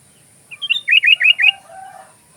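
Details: Sooty-headed bulbul in full song, recorded as filler material for magpie-robin training: one quick phrase of five or six bouncy, slurred whistles stepping up and down, followed by a faint lower trailing note.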